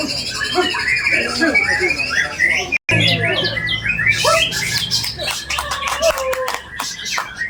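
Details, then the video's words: A white-rumped shama, bowing while singing, pours out a piercing song full of mimicked phrases: varied whistles and chatters, a brief silent gap, then harsh bursts and clear whistled notes. "MURAI BATU SUJUtt.. ISIAN SUPER MEWAH.. PERIH BETUL SUARA NYA!!"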